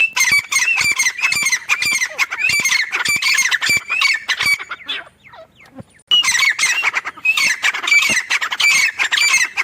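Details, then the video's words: Female grey francolin (teetar, described as the dakhni type) calling on a mango farm near a home: a dense run of harsh, squawky notes repeated rapidly, broken by a near-silent pause about midway before the calling resumes. "Grey francolin teetar sound | female teetar awaz"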